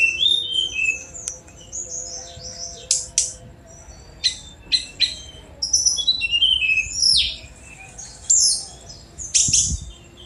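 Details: Sunda robin (tledekan gunung) song mixing very high whistles, downward slurs and loud harsh buzzy bursts, in phrases spaced by short silences.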